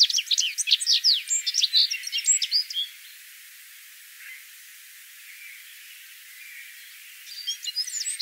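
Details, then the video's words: Citril finch song: a quick, high twittering run of varied chirps and slurred notes for about three seconds, a pause of near silence, then a fresh twittering burst beginning near the end. "Verderón Serrano (Carduelis citrinella) Canto"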